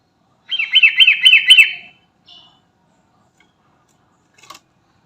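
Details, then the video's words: Sooty-headed bulbul (trucukan) calling to companions: five quick, bubbly, evenly spaced notes in about a second and a half, a short soft note after, then silence apart from a faint tap. "Burung Trucukan Garuda Gacor Manggil Teman"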